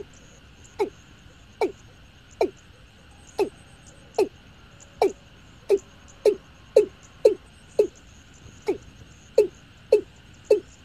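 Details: Watercock calling: a series of about fourteen short, low, falling notes, spaced unevenly at roughly one to two per second and sometimes in quick pairs, over a steady background hum.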